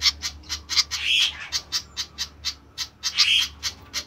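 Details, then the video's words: Flycatcher making a busy stream of short, high, ticking notes, with two brief rasping squawks between the regular chips, against a low background hum. "ADA APA DENGAN BURUNG SIKATAN INI KOK RIBUT"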